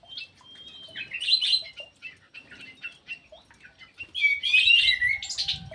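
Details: Ground thrush, known locally as punglor jali, kept in an aviary and singing vigorously: rich bursts of whistled, warbling phrases with quick chirps, loudest near the start and again toward the end, separated by softer twittering notes.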